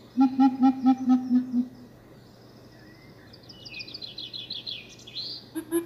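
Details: Coucals, a group calling back and forth to each other: a run of about seven deep hollow hoots in quick even succession, then quieter high twittering from other birds over a steady hum.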